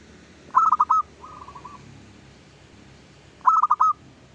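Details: Local zebra dove at dawn, its song played as a lure: one phrase of rapid staccato coos and a soft trailing trill, then after a pause a second matching burst of clipped notes, over faint noise.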